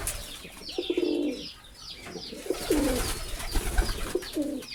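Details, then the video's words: A pigeon coos in three separate deep, rolling phrases, the first longest, over scattered high chirping from other birds and some low thumping. "Pigeon Sound Effect || কবুতরের ডাক"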